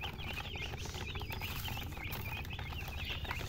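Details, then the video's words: Chicks peep in a group with high, short, wavering chirps repeated rapidly and irregularly, partly softened by broad background noise and low rumble. "Witty MURGI Baby "Chicks Chirping" Sound"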